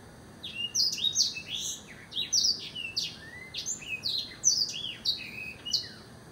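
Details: Blackthroat singing a fast, continuous stream of varied high whistled notes, with quick rising and falling slurs and short twittering phrases, over a steady background hiss.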